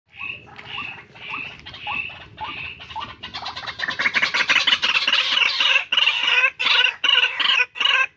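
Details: Tame white-breasted waterhen calling vigorously: a series of short repeated notes, first spaced phrases of paired whistled notes, then a rapid, loud, harsh chattering run of about three notes per second, indoors.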